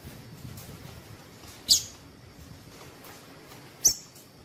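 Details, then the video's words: Female Double-collared seedeater calling to warm up males and set them singing: two short, very high sharp chips about two seconds apart over a quiet, faintly hissy background. "Piado de fêmea coleiro tui tui"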